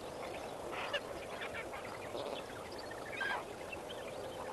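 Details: Sunrise chorus of lesser flamingos at Kamfers Dam, 18 May 2024: a steady murmur of many calling birds with scattered goose-like honks and two louder nearby calls standing out.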